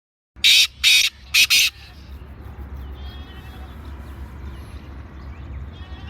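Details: Black francolin calling in Sindh, Pakistan: four loud, harsh, grating notes in quick succession, a short one then longer bursts, over about a second, followed by low steady background rumble.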